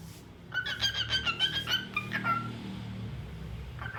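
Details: Cockatiel singing cheerfully: a quick series of bright warbled whistles, about three a second, ending in a downward slurred note, with a low hum in the background.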